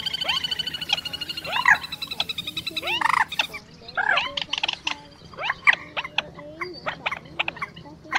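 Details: Lure calls of quốc biển and trích ré for night bird trapping, March 2024 migration: a rapid rattling trill broken by loud arched squawks, then quick irregular clucking and piping notes.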